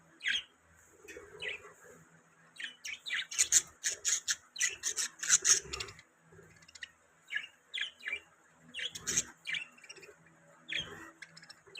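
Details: Budgerigars chirping: bursts of short, scratchy, high chirps and rasping notes in quick irregular runs, clustered densely mid-clip with quiet gaps between groups; no other clear sounds.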